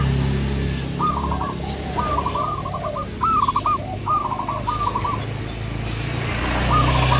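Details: Zebra doves, local and crossbred birds calling back and forth, with several short rolling coo phrases spread across the recording over a loud low rumble and background noise.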